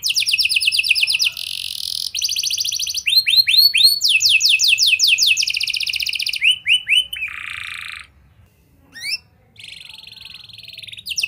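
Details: Canary singing as a lure to get young canaries singing: varied phrases of high rapid trills, swept notes and a lower buzzy roll, separated by short pauses, with a brief silence near the end.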